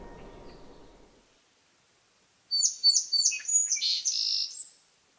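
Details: Song sparrow song: after a second of faint low rumble and a quiet gap, three or four clear, evenly spaced introductory notes, then a jumbled run of buzzy trills and quick twittering notes lasting about two seconds.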